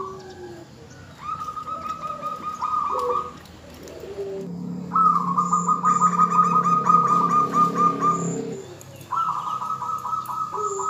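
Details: Female zebra dove calling the male to trigger his song; long rolling trilled coos lasting two to three seconds each, over a steady low humming coo, with scattered higher chirps.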